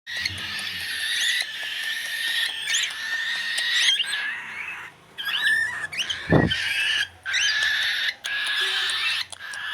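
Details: Cockatiel chicks at play in a pool give harsh, raspy, buzzing calls in long overlapping bursts with brief pauses.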